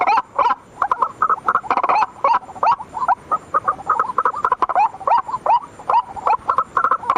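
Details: White-breasted waterhen calling at night, used as a lure: choppy, hoarse croaking notes in uneven bursts, crowded and overlapping throughout.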